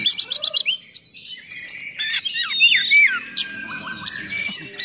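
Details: Oriental magpie-robin, full-throated harsh song for provoking and training other magpie-robins: a quick run of sharp high chips, then sweeping slurred whistles and mimicked rising and falling notes.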